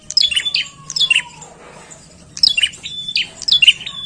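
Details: Bar-winged prinia in lively song used to lure birds: bursts of piercing, high chip-and-whistle phrases in two groups separated by a pause, alongside a faint falling whistle from another bird.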